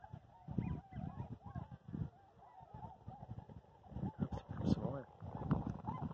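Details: Trumpeter swans, two flocks taking flight on 29 January 2022 at Columbia White Tail Deer National Wildlife Refuge near Skamokawa, Washington; many overlapping nasal honks with low thumping wingbeats and splashing throughout.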